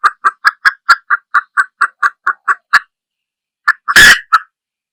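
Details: Hen junglefowl producing a steady run of a dozen quick clucks, a short silence, then a few more notes broken by one loud harsh crackle.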